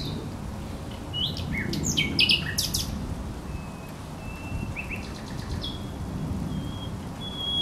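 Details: Thrush nightingale singing at the Żerań Canal on 24 April 2022: scattered sharp clicks and short high whistles, with a thin drawn-out tone near the end, over a steady low rumble.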